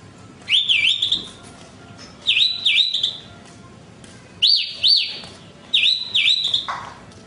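Horsfield's bush lark sings short, bright phrases of two or three looping, slurred whistles, repeated about every two seconds against a quiet background.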